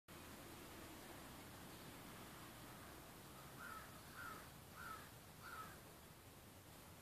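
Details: A pet male quail, usually very quiet and rarely crowing, crows surprisingly loudly: four short, husky notes in quick succession, about two a second, beneath a steady hiss of background noise.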